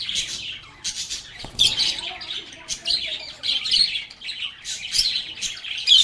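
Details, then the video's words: Lovebirds singing and talking, giving a lively, unbroken mix of thin chirps, squeaks and scratchy chatter rising and falling in loudness. "Lovebirds agapornis sounds | Relaxing Sounds of Singing, Playing, and Talking Parakeets"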